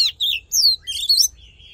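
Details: Brief fighting-song passage from an Oriental magpie-robin used in voice training: swooping whistles, a jumbled twittering phrase and a faint thin trailing note.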